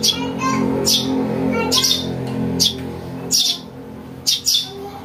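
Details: House sparrow chick calls for luring birds: sharp, high chirps at uneven intervals, at first over a steady low droning noise that fades midway, leaving the chirps clearer.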